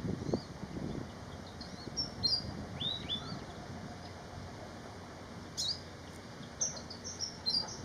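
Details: A Malaysian pied fantail sings scattered sharp high whistled notes, some upslurred and some downslurred, in short clusters separated by pauses. A low rustling sound comes early on, and a steady hiss runs throughout.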